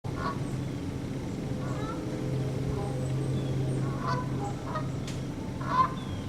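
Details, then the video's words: Two Canada geese, a male honking to communicate with the female as he prods her a little, on September 24, 2015 at 9:15 am; scattered nasal honks with low steady hum underneath and quiet gaps between calls. "2 Canadian Geese Honking"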